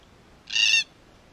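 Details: Wild Red-tailed black cockatoo from a group in Australia, exploring and damaging a spy camera at their regular playing site; one loud harsh grating screech of about a third of a second, rich in stacked overtones, over a quiet background.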